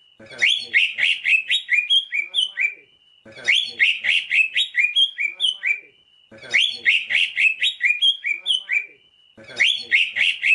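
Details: Greater green leafbird song used as a tutor recording for training cage birds: a loud phrase of chattering notes and bright rising slurred whistles, ending in a held whistle, repeated identically about every three seconds.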